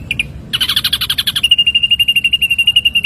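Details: Songbird training recording of an ashy drongo: two quick notes, then a harsh, rapid trill that settles into a steadier, slightly lower, evenly pulsed trill.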